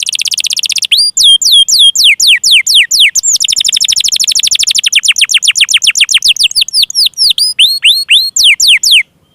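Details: A canary sings to stir stuck, lazy or young canaries into song: a buzzy roll, rising swept notes, then a long rapid trill that slows into separate curved whistles before stopping.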